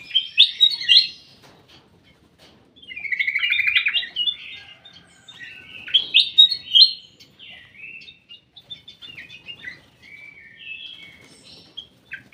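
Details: Ruby-throated bulbul in a private aviary sings bright chattering whistled phrases separated by short pauses, including one rapid pulsed trill, with softer twittering notes toward the end; quiet indoor background.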